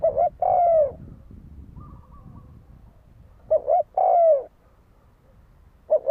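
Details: Two fighting coos from a spotted dove, used to provoke rivals, plus the opening of a third: a short stuttered double note, then a sustained coo falling away, separated by quiet gaps.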